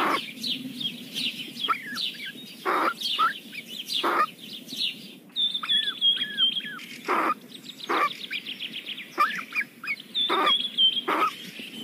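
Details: Kingfisher parent feeding very young chicks: rapid high chirps and trills, some sliding downward, in dense bursts with frequent sharp broadband clicks and rustles throughout, quieter gaps between bursts.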